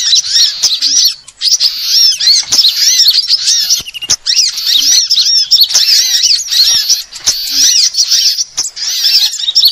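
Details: Several sunbird types calling together as a lure: high, rapid twittering with arched chirps, in a pattern that repeats about every two and a half seconds, punctuated by sharp ticks.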